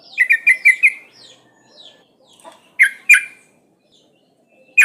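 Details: Female sooty-headed bulbul in breeding condition calling males: one burst of four bubbly notes, then scattered soft chirps and a few sharp separate calls.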